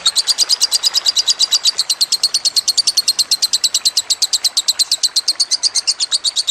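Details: Lovebird delivering a fast, ringing chatter for songbird training, backed by trickling water: dense, high-pitched, buzzy pulses, about five each second, unbroken across the whole stretch.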